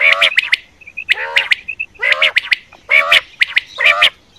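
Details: Quail calls offered as a hunting lure for night use: harsh, squawky harmonic notes about a third of a second long, given in five bursts, with sharp clicking ticks between them.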